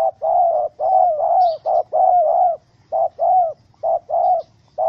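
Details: Angry spotted dove (Spilopelia chinensis) caught in a wild-bird trap with small rope, 7 April 2017, gives low, hollow coos in short uneven bursts, roughly one a second, with a faint high chirp briefly behind.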